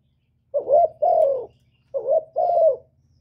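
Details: Spotted dove calling and cooing: two phrases, each a short rising coo then a drawn-out hollow note, about a second apart, faint low hum in the background.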